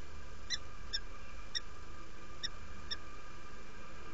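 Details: Quiet inviting calls of a female peregrine falcon at the nest in Derby, UK, 17 February 2017, morning: five soft, short chips spaced irregularly about half a second to a second apart beneath a steady hum.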